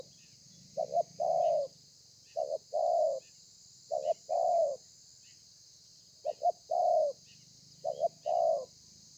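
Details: Spotted dove, a wild-caught bird, singing 'thổ pha' style, recorded 30 November 2020. Soft low coos in repeated sets: a quick stuttered pair, then a sustained descending note, about five sets over steady hum.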